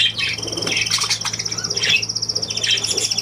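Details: Budgerigar chattering: squawky, scratchy notes and bright chirps mixed with a fast, even pulsed trill repeated many times per second. A steady low hum runs underneath.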